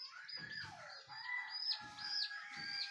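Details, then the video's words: Chicken crowing near dawn, marking the start of the day: a more distant, sustained harmonic crow runs through the whole clip, overlaid by repeated bright chirps from small birds and a few low thumps. "SUARA AYAM BERKOKOK TANDA HARI SUDAH PAGI"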